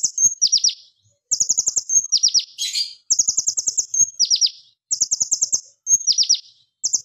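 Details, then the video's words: Vigorous Plain flowerpecker song, loud and sharp in machine-gun-style bursts, used as a lure for training: very rapid runs of high ticks each followed by three or four piercing downward slurs, phrases repeated roughly every second and a half. "KONIN GACOR TEMBAKAN AK47 TAJAM NYARING"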